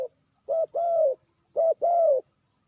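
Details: Lure spotted dove for trapping, calling two clear phrases of a short hooting note then a long, gently falling coo, separated by a brief silence.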